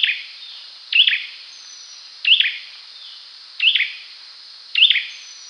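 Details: Series of five olive-backed sunbird calls spaced a little over a second apart, each a quick rising high chirp trailing into a short buzz, against steady background hiss.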